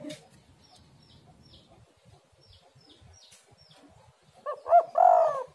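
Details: Spotted dove (tekukur) on a lure recording: faint high chirps of small birds, then near the end a loud coo phrase of two short notes and a long, throaty, rolling note.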